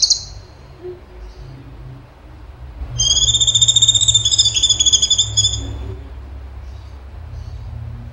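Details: Cucak cungkok in full song, tembakan style: a brief high note, a pause, then a loud, quavering, high whistled phrase of about three seconds that dips slightly at the end, with faint softer notes afterwards.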